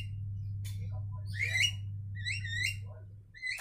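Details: Javan mynas (jalak kebo) singing to each other, trading harsh, warbling whistled phrases, three or four bursts in under four seconds, over a steady low electrical hum.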